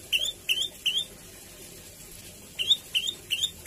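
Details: Javan tailorbird song, a lure recording to get other birds singing; bursts of three and four sharp rising chirps separated by a short silent gap.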